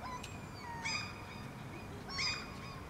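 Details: Two common gulls (Larus canus) in Helsinki, Finland, in June 2013 trade shrill, nasal mewing calls back and forth, two harsh bursts about a second apart, over a steady low outdoor rumble; the birds later move closer together.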